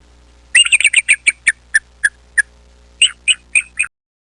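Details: Bald eagle gives a thin, high, piping chatter of about fourteen sharp notes, quick at first, then slowing and spacing out, with a last short burst.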